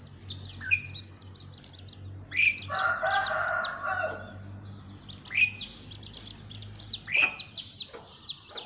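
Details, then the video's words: Asian pied starling (Sturnus contra) giving harsh, creaky chatter with sharp whistled notes roughly every two seconds and one long rasping squawk; faint low hum behind. "Burung jalak suren"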